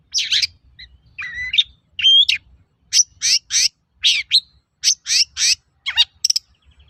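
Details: Long-tailed shrike song played to make other shrikes answer, mixing a few clear whistled and nasal notes with spaced, harsh, buzzy chips in irregular pairs.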